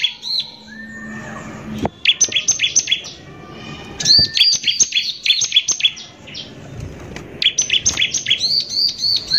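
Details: Gusty Bar-winged prinia song in rough 'nembak kasar' form, a lure to agitate other prinias: a soft whistle and low hum at first, then long trains of sharp, fast, high chirps.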